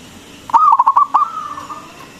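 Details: One song phrase of a local zebra dove with a big voice, used to stimulate other doves. A sharp onset leads into fast stuttering coos, then a long smooth cooing tail that fades out.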